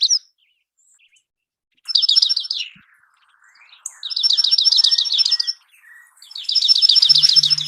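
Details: Dark-eyed junco song as a sample recording: three dry, rapid musical trills of evenly repeated notes, each lasting about a second, separated by short silences.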